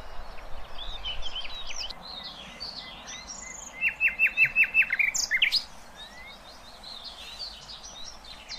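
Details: Nightingale song used to tutor young goldfinches and hybrids: scattered high twittering phrases, then a loud run of about eight rapid repeated notes, followed by more varied chirps over steady background hiss.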